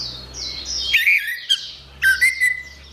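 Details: Orange-headed thrush singing two brief phrases of twisting whistles and sharp clicks, about a second apart. The recording serves as therapy for birds that stopped singing. A constant thin chirping chorus sits behind.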